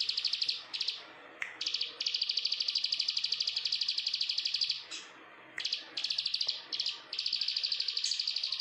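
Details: A prinia sings long, rapid, high-pitched trills of tightly packed notes in bursts separated by brief pauses, no other sounds; identified as Bar-winged prinia, though also described as Plain prinia (Prinia inornata), a lure bird.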